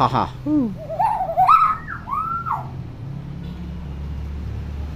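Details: Clever tame hill myna imitating sounds: a rough, voice-like sequence of nasal harmonic syllables sliding up and down, then a long arching whistled note, followed by quiet low background noise.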